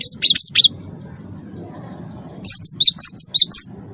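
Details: Cinereous tit, a champion bird, singing as a lure for other captive birds: a short burst of four shrill whistles, a pause, then about eight more in quick alternating high-low rhythm, over a low hum.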